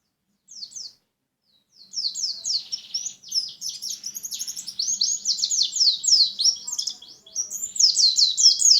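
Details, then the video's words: A Lumajang white-eye's song: after two short chirps and a pause, a long energetic run of very high, fast, slurred twittering notes builds and continues to the end. "Burung pleci lumajang"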